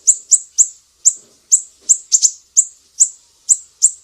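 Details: Mangrove whistler from Sumatra, sharp besetan used as a songbird training master: high, thin, whip-like notes repeated every few tenths of a second, one quick doublet midway, quiet surroundings.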